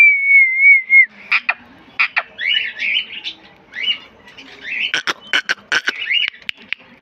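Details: Green pet parrot, rose-ringed parakeet, talking: one clear wavering whistle, then a fast jumble of scratchy chirps and sharp clicking notes, roughly three per second.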